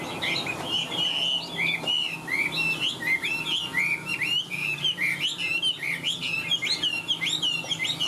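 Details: Caged Chinese hwamei, a large-bodied bird singing high: a continuous run of loud, clear whistled phrases, slurred up and down and repeated in quick succession with barely a pause, over a faint low hum.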